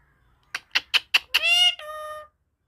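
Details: Pet parakeet talking, said to repeat its own name when asked: five quick harsh syllables, then a sustained, strongly harmonic voice-like tone that steps down slightly and ends abruptly. A person then asks its name twice.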